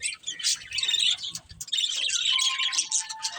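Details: Budgies chattering in a fast, busy stream of high chirps and rasps. A short dip comes just before the midpoint, and a steadier whistled note enters toward the end.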